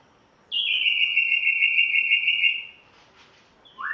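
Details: A few song notes from a Tanzanian spotted morning-thrush kept at home on its first day: one long, steady, pure whistle held for about two seconds, then a short pause and a brief rising whistle.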